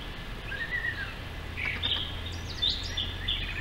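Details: Brown thrasher singing at twilight from the top of a distant tall tree on June 1, 2013: a varied run of short phrases, a slurred falling note, then buzzy and sharp chirped notes, over a steady low rumble.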